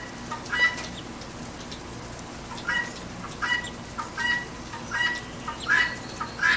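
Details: Repeated harsh squawks from a guinea hen at a backyard feeder during rain, about eight rasping calls in a fairly steady rhythm over constant rainfall noise.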